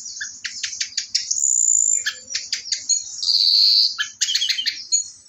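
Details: Rapid, energetic orange-headed thrush song with clusters of sharp descending notes, a sustained high whistle and a buzzy trill, delivered almost without pause.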